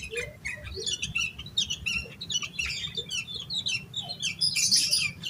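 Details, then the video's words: Yellow-vented bulbul singing in an agitated, nonstop style, used as a lure to get other bulbuls singing: dense, rapid chattering notes and short rising whistles, with a harsh burst near the end and low background rumble. "Suara Burung Trucukan Gacor EMOSI KOSLET Full Isian Buat Pancingan Burung Trucuk Agar Cepat GACOR"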